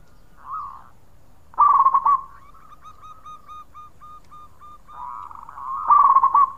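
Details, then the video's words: Local zebra dove in full song, its voice used as a lure to get other birds singing: bursts of rapid warbled notes with a run of evenly spaced short whistled notes between them. "Suara Khong Perkutut Lokal Gacor Cocok buat pancingan."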